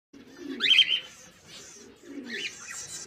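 A cockatiel gives bright whistled notes that sweep up and down, over a soft low murmur.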